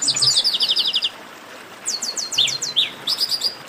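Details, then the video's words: In a 'baderna' chorus, chestnut-capped blackbirds (garibaldi) give rapid strings of high down-slurred whistles, about eight to ten notes per run, separated by a brief quiet spell and a lower slurred note. "Baderna de Garibaldi"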